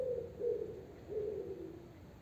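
Common wood pigeon giving soft, deep, hooting coos: two low, muffled phrases about a second apart over a faint background hiss.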